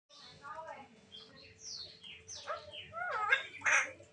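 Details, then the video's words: Black-naped oriole in full, lively song: a varied run of clear whistled slides, rising and falling, mixed with harsher buzzy notes and loud broad bursts toward the end, over a steady low hum. "Cucak Timor Tanduk / Koak Koak Gacor"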